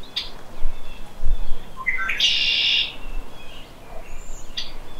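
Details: Shrill conk-la-ree of a red-winged blackbird, marking territory and attracting females: two or three brief clear notes, then a harsh buzzing trill of under a second, surrounded by scattered high chirps from other birds.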